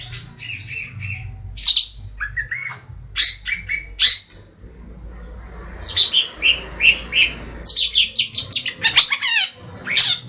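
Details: Madura long-tailed shrike, three months old, in varied song: clear whistled phrases and short slurs mixed with scratchy notes, building into a rapid stream of sharp chirps and downslurred whistles.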